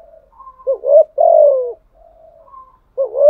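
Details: Decoy spotted dove in 'giọng thổ' voice performing the 'thúc gù' coo: soft hums, then a rolling coo and a long falling note, quiet murmuring, and another rolling coo starting.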